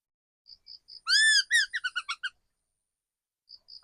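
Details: Mature forest decoy laughingthrush, quieter and more distant: a few soft high pips, a long arched whistle, then a rapid run of about seven stuttering descending notes, followed by more soft pips.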